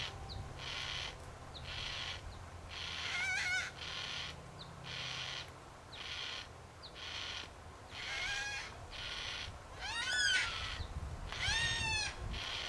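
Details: Wild yellow-tailed black cockatoos, a group in the Royal National Park near Heathcote, Australia. Several short, harsh, wavering calls stand out, around four in about twelve seconds. A loud, regularly pulsing insect-like drone runs throughout.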